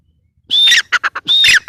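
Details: Female grey francolin, two quick phrases, each a thin level whistle followed by three or four short harsh clucking notes.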